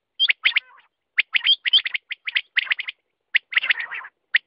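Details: Quail calling: quick bursts of harsh, chirpy notes mixed with short curling whistles, in clusters separated by brief pauses, with a rougher chattering passage near the end.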